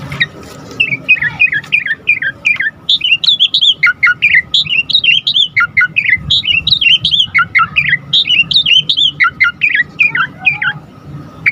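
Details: Asian pied starling singing continuously, played to spur other starlings into song: a long flowing stream of chattering, slurred whistles, rising and falling notes tumbling together, with steady low background hum.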